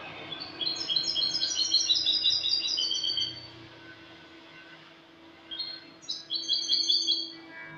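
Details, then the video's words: Spanish goldfinch, clean song recorded 08/22/2018: a three-second burst of rapid jingling twitters, a quiet pause, then another bright twittering phrase, with low background hum throughout. "jilguero español cante limpio"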